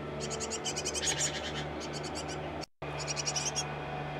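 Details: Nest box with a busy great tit pair; bursts of rapid high twittering notes over a steady low hum, broken by a brief silent gap midway.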